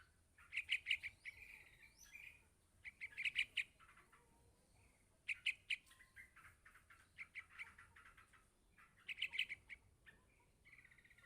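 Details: Calls of a yellow-vented bulbul nestling to its parent: rapid series of high, sharp chirps in bursts of four to six, each burst followed by a brief buzzy note, repeated every couple of seconds.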